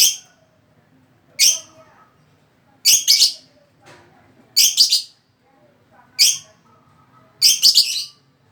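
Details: Lovebird giving sharp, high, buzzy chirps in short bursts, single or doubled, spaced roughly every one and a half seconds, with faint low background hum between them.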